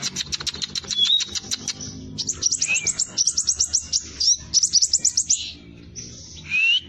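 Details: Hair-crested drongo song for use as a lure with other birds, fast and tightly packed: a series of high clicking notes, a slurred whistle, rhythmic bursts of sharp repeated notes and a closing upward-sliding whistle.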